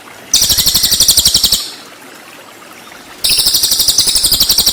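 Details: Master song of a cililin in 'tembakan' style for white-rumped shama: two long, loud buzzy trills of rapid high-pitched pulses, each over a second, with a short quiet gap between.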